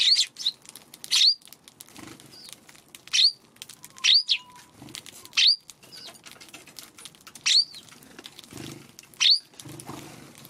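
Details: Eurasian tree sparrows kept back from their feeding spot by a Godzilla figure, afternoon of March 16; sharp upward-flicking chirps repeated roughly every second, with faint rustling between.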